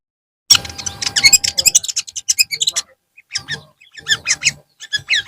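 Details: Long-tailed shrike singing in the afternoon, a fast jumble of high chirps, whistles and harsh notes in two bursts separated by a short pause.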